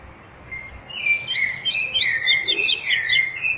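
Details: Coleiro, the double-collared seedeater, giving its tui tui zel zel song: a soft opening note, then swooping whistled phrases that build into a rapid, rhythmic burst of high chipped notes. The background is quiet.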